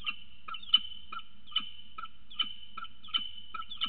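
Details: Peregrine falcon pair at a nest as the adult male arrives with food for the female on the day of her first egg. Quick bright chipping notes, about ten in four seconds, with a steady low hum behind.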